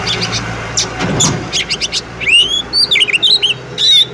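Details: Oriental magpie-robin female calling to a male to spur singing. Over a noisy rumbling background, quick rhythmic chips build into clear rising and swooping whistles, ending with a harsh burst.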